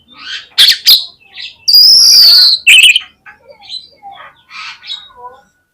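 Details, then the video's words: Oriental magpie-robin used as a lure to draw song from other birds. Loud clipped chirps are followed by a long, high, harsh rising whistle, then scattered softer notes and short trills. "KACER LANGSUNG PECAH SUARA MENDENGAR PANCINGAN INI !!! KACER LOYO PASTI IKUT GACOR"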